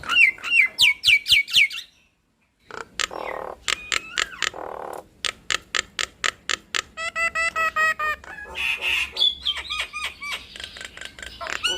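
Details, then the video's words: Nias hill myna duet used to provoke other mynas into calling: loud whistled notes falling in pitch, rapid repeated clicks, a brief silence, then harsh buzzy bursts and sharp repeated whistles about four per second. "Duet Maut Jalak Nias Bikin Ribut Semua Burung Jalak"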